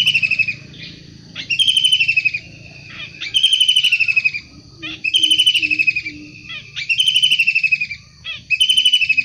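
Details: Long-tailed shrike in the wild repeating loud, rasping, downward-sliding bursts about every one and a half seconds, with soft low notes heard between them.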